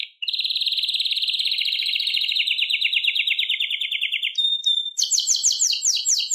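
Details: Wild Atlantic canary sings a long, rapid trill that slowly falls over four seconds. A clear whistled note follows, then a quick run of bright, high chirps.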